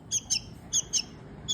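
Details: Rescued baby bird calling for food while being fed by hand: five sharp, high, squeaky chirps in quick pairs and singles, each a brief bright note, over quiet room background.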